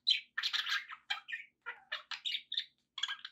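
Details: Pet budgerigars keep up a rapid chattering warble of scratchy chirps and short whistled notes in clustered bursts separated by tiny gaps.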